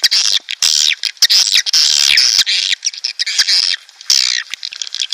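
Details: Swiftlets chatter in dense, high, buzzy twitters on a lure recording meant to draw breeding swiftlet colonies into a nesting house, with rapid overlapping chirps and brief gaps.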